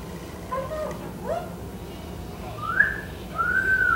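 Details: A male Eclectus parrot, a foster bird that talks and whistles when the TV is on and nobody is around, gives a few short wavering whistles, then two longer clear rising-and-falling whistles over a low indoor hum.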